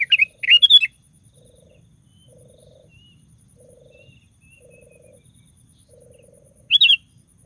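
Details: Sooty-headed bulbul song, meant to provoke other bulbuls into singing: short bubbly, fluty phrases at the start and again near the end, with soft low purring pulses in the quiet between.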